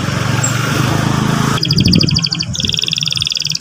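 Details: Young canary singing, used to provoke a young canary into song: rapid repeated high trill notes shifting to a second, lower trill phrase, after a stretch of steady hissing noise.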